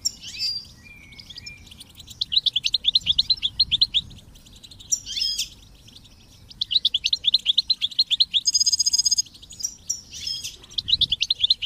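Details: European goldfinch song with chicks chirping, for training: repeated short bursts of rapid high twittering separated by pauses, with a brief steady whistled tone and faint background hum.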